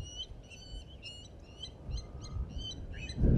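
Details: Nest-defending blacksmith lapwings at Djuma Private Game Reserve sound a fast series of clipped, ringing metallic notes, about three per second, faint against low background noise, ending with a louder thump.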